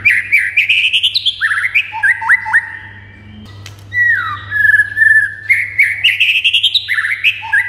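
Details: White-rumped shama song meant to spur quiet shamas into answering and singing excitedly: rich whistled phrases of slurred rising and falling notes with quick trills, a short gap near three seconds, then more bright whistles over a steady low hum.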